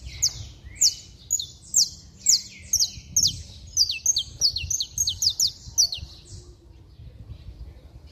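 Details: Saffron finch in vigorous song, used to get other saffron finches singing: a lively series of sharp, high chirps, spaced at first and then crowding into a fast, overlapping stream before stopping.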